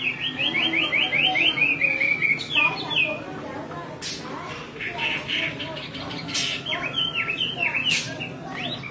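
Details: Chinese hwamei female repeating her calls while a male grows restless, meant to spur males to sing: a fast series of rising whistled notes, then scattered chips, slurs and sharp clicks.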